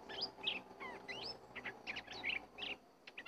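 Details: Forest encounter between a decoy bird and a wild red-whiskered bulbul: lively, clear whistled phrases with upward slurs and short warbles, several quick bursts, then a brief pause before a few final notes.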